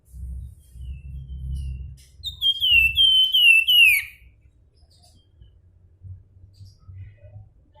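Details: An endemic Javan Fulvetta gives a short nyuling phrase, a rapid string of pure, high whistled notes that each drop in pitch and become steadily lower toward the close. Low rumbling handling noise comes before and after.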